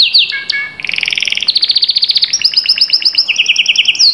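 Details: Canary song, presented as stimulation to make a silent canary start singing: a rapid sequence of high trills and rolling tours that switch pitch every second or so, opening with whistled upward sweeps and ending with a bright rising note.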